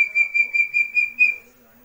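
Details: Young chestnut-bellied partridge from West Java giving thin, high whistled peeps on one steady pitch, about six quick pulses in a second and a half, then near silence.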